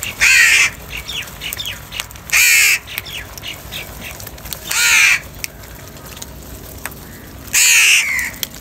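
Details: Morning feeding time with crows fighting for food: four strong, hoarse caws spaced about two seconds apart, with quieter scratchy calls and ticking sounds in the gaps.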